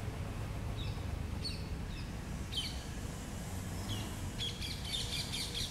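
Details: A female Blue-throated flycatcher, a winter migrant in Chennai, Tamil Nadu, India, gives brief, high chirps every second or so, ending in a busier burst of notes, over a steady low rumble.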